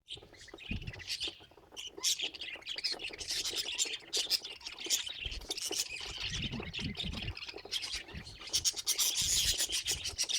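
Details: Pet budgerigar chattering in a continuous, busy warble of scratchy chirps and clicks, rising and falling in loudness with short louder bursts toward the end, with faint low thumps beneath.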